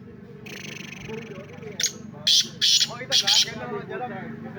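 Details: Black francolin (Francolinus francolinus) giving a loud, harsh, grating call in four or five rapid bursts, over a low murmur of voices and traffic; the owner asks whether the bird is any good.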